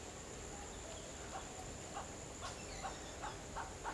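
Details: A Sri Lanka grey hornbill (Ocyceros gingalensis), endemic to Sri Lanka, gives short, clipped mid-pitched calls that come faster and louder toward the end, over a steady high insect whine.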